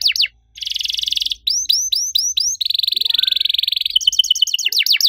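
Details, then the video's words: Canary singing actively in a long burst: fast rattling trills around mid-high pitch alternate with repeated rising swept whistles and bright chirps, the phrases following one another almost without pause. "KENARI RIWIK AKTIF, CUIT CUIT NEMBAK PANJANG!!"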